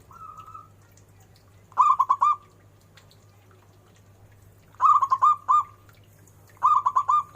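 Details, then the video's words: Zebra dove song: a soft lead note, then three phrases of clipped, tremulous coos, each phrase about half a second long and spaced a few seconds apart. A faint low hum continues behind them. "Suara burung perkutut"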